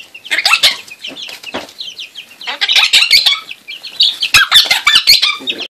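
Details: A pet monk (Quaker) parakeet playing with chicks gives harsh, rapid chattering squawks mixed with higher peeping that may come from the chicks, while its owner tells it not to bite.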